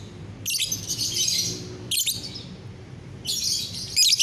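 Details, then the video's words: Morning gacoran by a lovebird, 30 November 2021: drawn-out buzzy high chattering phrases about a second long, with pauses between and squeaky notes at the end, low hum in the background. "GACORAN LOVEBIRD"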